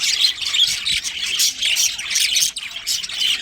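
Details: Continuous high warbling chatter from a budgerigar colony with a breeding pair, dense overlapping chirps with barely a pause.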